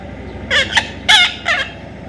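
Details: Young parrot being tamed, uttering three short, harsh, buzzy squawks in quick succession over faint background hum.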